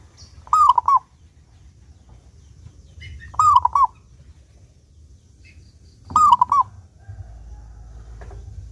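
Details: Zebra dove, a local bird in full song with a clear voice, recorded to prompt other doves to sing: three quick cooing phrases roughly three seconds apart, a rising note followed by short clipped notes, over low background hum.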